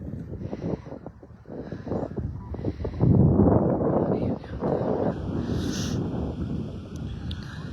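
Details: A big flock of migrating sandhill cranes, mostly eastern population, arrives for the evening at Sherburne National Wildlife Refuge on October 13, 2024: a rolling chorus of loud, rattling bugles, with wind buffeting and a person speaking briefly.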